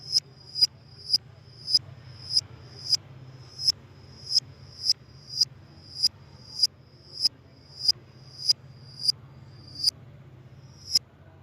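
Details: Lovebird sound meant to lure lovebirds: a long, even series of sharp, high-pitched chips, one roughly every 0.6 seconds, over a faint low hum.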